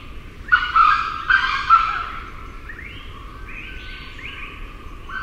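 A grey junglefowl gives a loud, broken, clucking crow in several harsh bursts, followed by fainter answering crows from other birds farther off.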